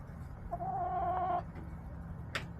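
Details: Backyard chickens on March 30, 2024, filmed by a coop camera: one steady, drawn-out harmonic hen call lasting nearly a second, then quiet with a sharp click, over a constant low hum.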